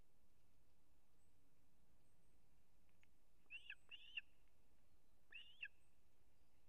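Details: Osprey at a nest in Kurzeme, Latvia, September 3, 2024, the male bringing a whole fish for the chick: a few scattered, high, sharp whistled chirps in two short clusters over steady background hiss.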